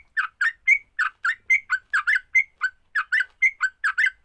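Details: Fighting song of a sooty-headed bulbul, used to set other bulbuls singing: evenly spaced, mellow, bubbling two-part notes, some ending in a short level whistle, repeated steadily and clean of background noise.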